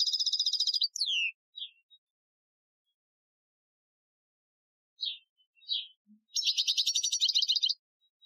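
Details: European goldfinch, Algerian training song, 2015: a fast high trill falls into a downward slurred note, followed by a long silence, a few separate chirps, and another dense rattling trill.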